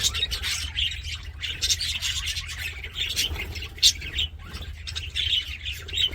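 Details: Happy budgerigar warbling: dense, grating chatter mixed with squeaks, several louder squawks rising above it, and a low motor-like hum throughout.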